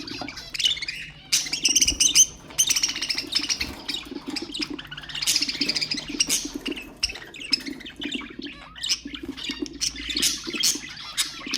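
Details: Ornamental budgerigars in a lively chorus meant to stir other birds into song: a long unbroken stream of rapid chirps, trills and warbles, with frequent louder squeaks and a persistent low hum behind.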